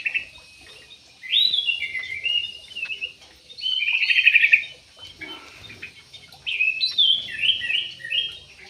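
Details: Captive parakeets in an aviary uttering grating, buzzy squawks in three distinct bouts, with quiet spaces between them.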